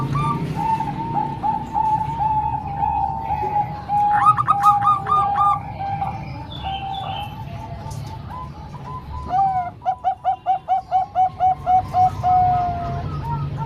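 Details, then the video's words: Zebra doves, Bangkok-type and local, singing for training young birds: long chains of cooing notes with several birds overlapping, bursts of bright higher coos, and near the end a rhythmic run of strong pulsed notes. "Kombinasi 3 Suara Perkutut Bangkok Dan 1 Lokal|Untuk Melatih Perkutut Bahan"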